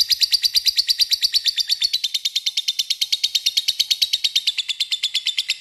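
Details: A long, very regular ngekek from a lovebird, played to lure a rival: fast, evenly spaced buzzy high notes in a continuous rattle that drifts gently down in pitch.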